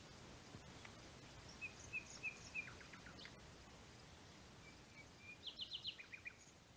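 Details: Nightingale song from the pinewoods of the Rodeno, Sierra de Albarracín in Teruel: several spaced, thin whistled notes, a few lower calls, then a quick rattling trill of sharp repeated notes.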